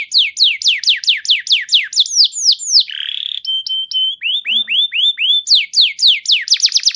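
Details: Canary song used to prompt other canaries to sing: rapid series of high downward-sweeping notes, a brief buzzy section, steady flat whistled tones, then more fast repeated sweeps; no other sounds.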